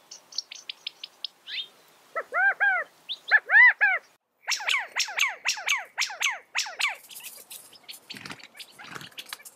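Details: California quail calling: high thin notes lead into bold arched, harmonic call notes. A rapid run of about a dozen similar notes follows, then scratchy high twittering and low rustles.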